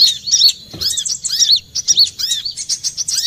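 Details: Olive-backed sunbird lure call for trapping: high, thin, rapid twittering with sharp arching notes, continuous and busy, over a low background hum.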